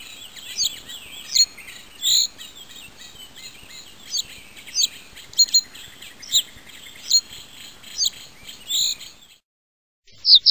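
Common reed bunting giving thin, high chirps and short twittering notes, irregularly spaced a second or so apart, over a faint steady hiss.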